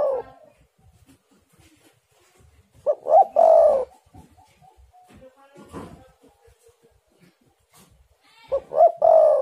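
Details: Lure song of a spotted dove to make other doves sing: a coo trailing off at the start, then two full phrases of short rising notes and a long rough coo, spaced several seconds apart with faint clicks between.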